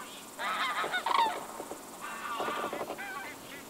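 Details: Common cranes in summer at a lake shore, where about 100 non-breeding birds gather to spend the night, give loud, rolling trumpeted calls in overlapping bursts; several birds call together with brief pauses. Audio is poor quality.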